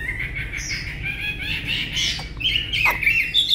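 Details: Tame Chinese hwamei, Vietnam, kept for its singing: harsh, raspy notes lead into wavering whistles and a brief sharp squeal near the end.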